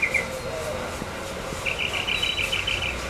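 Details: A tropical mockingbird in the morning in Corozal, Belize, gives an alarm: a harsh, buzzy run of quick rasping notes, brief at first, then a longer burst, over a soft background hiss.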